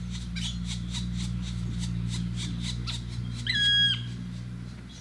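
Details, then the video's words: Black woodpecker mother with three chicks in Romania's Danube Delta in June: a run of rapid buzzy pulses, then a loud clear ringing note that drops at its end, over a steady low hum. "Black Woodpecker, Dryocopus martius, mum bussy with chicks."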